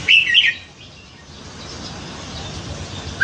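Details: Nine-month captive red-whiskered bulbul, admired for its diverse songs; a brief bright warbled phrase of two linked whistles at the opening, another note starting at the very end, steady hiss between.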